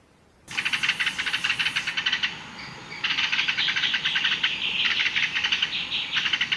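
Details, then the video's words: Free birds singing in nature: a rapid run of high, dense chirping notes, fast trills broken by short pauses, continuing without a break to the end. "Canto de Pássaros Livres na Natureza"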